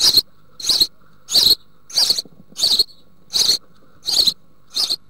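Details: Nest box of house sparrows in Germany's Altmark, June 2019: young close to fledging, fed bush-crickets by the female. Rasping high chirps repeat at an even pace, about eight in five seconds.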